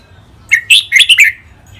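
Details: A single brief phrase from a caged red-whiskered bulbul in a two-male training session: four or five quick, sweet whistled notes, slurred up and down, clear against a quiet background.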